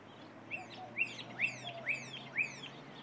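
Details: A Pyrrhuloxia sings a quick series of sharp, slurred whistles, about two per second, over a faint low hum, with White-winged Doves in the background; recorded April 22, 2015, northwest of Tucson, Arizona.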